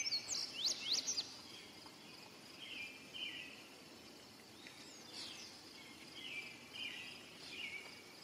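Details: Indigo bunting singing: a quick burst of bright, high, sharply sweeping notes in pairs near the start, then fainter lower buzzy phrases, over a steady background hum of insects.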